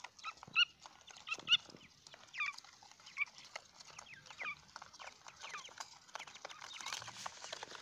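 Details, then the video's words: Grey francolin chicks giving faint, thin, high cheeping notes, short and slurred, scattered irregularly with several overlapping voices, roughly one a second, over a soft background hiss. "teetar kay bacchue ki awaz"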